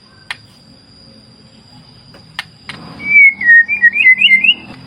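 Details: White-rumped shama (murai batu): a few sharp clicks, then a quick run of warbled, bending whistles near the end, with a steady thin high whine and a low rumble underneath.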